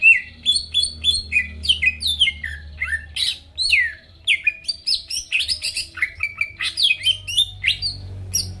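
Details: Energetic greater green leafbird song used as a lure to make rival birds respond: rapid, varied whistled notes sliding up and down, interspersed with short buzzy bursts, in a nearly continuous stream.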